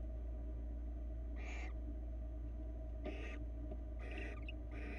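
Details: Barn owls at a Florida nest camera, male delivering a rabbit to his mate; four rasping, noisy bursts come in an uneven rhythm, fainter than the steady low hum of the camera microphone.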